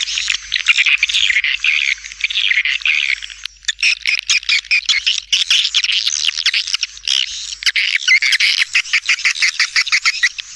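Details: Swiftlet calling sound used as a lure for all locations, feeding areas and flight paths, played in stereo with supporting calls left and right: dense, continuous high chirping and twittering, many overlapping sharp clicks and buzzy notes.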